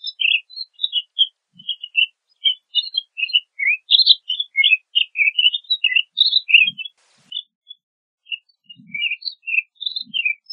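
A pine grosbeak sings a long, rambling warble of clear, sweet whistled notes.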